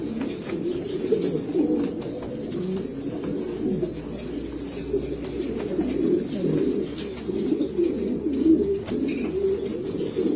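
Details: Deep, murmuring coos from a group of Granadino pigeons of Spanish origin, rolling and gurgling continuously, punctuated by sharp knocks and a faint low hum.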